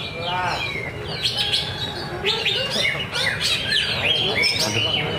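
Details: Greater green leafbird (cucak ijo) performing in a practice singing contest at Danau Bumi Restu, Cikunir: sharp whistled notes and quick downslurred trills in rapid bursts, some buzzy chatter, competing birds and low crowd murmur beneath.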